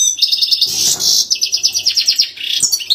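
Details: Goldfinch singing for young birds to learn from: a dense, continuous stream of high liquid twitters and quick metallic notes, repeated at a fast, uneven pace with a brief buzzy burst near the start.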